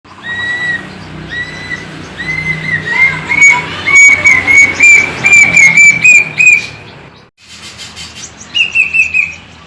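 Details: Caged plaintive cuckoo singing a long series of clear whistled notes that start slow and quicken while rising slightly in pitch. After a short pause, a few descending notes follow. Faint low background hum.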